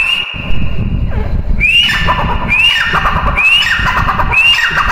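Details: Female grey francolin: a long held whistle, then four rising whistled calls with drooping tails, evenly spaced about once a second, over low rumbling background.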